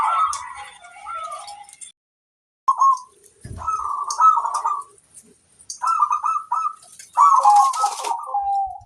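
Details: Zebra dove, a local bird singing strongly as a training master for other doves: short gurgling coo phrases broken by pauses, one dull thump midway, faint high clicks in the background.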